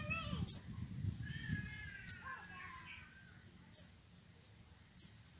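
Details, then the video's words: Wild Sogon, excited and seeking a rival, gives four sharp, very high isolated chips about one to two seconds apart over faint background chatter from other birds and low rustling noise. "Sogon emosi cari lawan"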